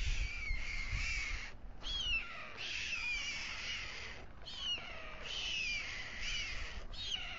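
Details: Nest of white storks on the Alcalá de Henares town hall tower at dusk, where the male feeds two chicks. Long breathy, hissing bursts with wavering, downslurred whistled tones repeat almost continuously, broken by brief pauses.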